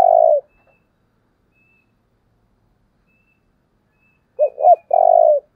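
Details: Dove decoy call for luring wild birds: the end of one long coo, a silent gap of about four seconds, then two short low notes and a long vibrating coo.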